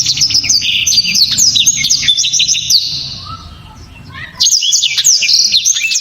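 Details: Powerful blacktrod song: dense run of high chattering whistles and quick slurs, a quieter pause with a soft lower whistle, then another burst of sharp, rapid notes.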